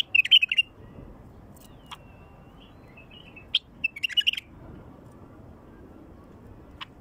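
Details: Song of a wild bulbul, meant to draw in other wild bulbuls: a lively warbled phrase at the start, a faint thin note near three seconds, then a second run of quick, bright chirping notes past the halfway point.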